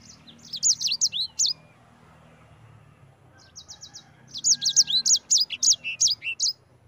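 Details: Yellow-fronted canary (sanger) in rolling ngerol song: an opening burst of quick, high chirped whistles, a quiet lull, then a longer rapid run of sharp bright notes.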